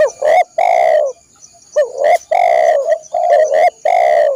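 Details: Spotted dove (tekukur) song for training caged birds: loud low hoarse cooing notes in short groups, with brief pauses between the phrases.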